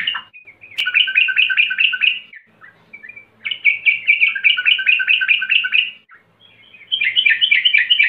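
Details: Sooty-headed bulbul recorded as a lure sound for training birds to sing. Loud bursts of rapid, bubbly repeated notes last about two seconds each and are separated by brief pauses with a few softer whistled notes.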